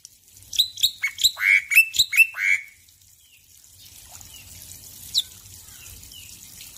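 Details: Caged male black-winged myna singing vigorously in the morning, Indonesia: a burst of about six loud harsh squawking notes over two seconds, then near silence with one later squeak and a faint low water murmur.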